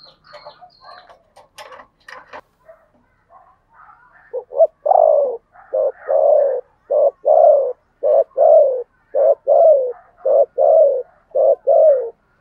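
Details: Decoy spotted dove, 'thổ' voice style, used to attract wild doves. Scattered chirps and clicks come first. Then a rapid, even run of about a dozen short falling coos, each under a second apart.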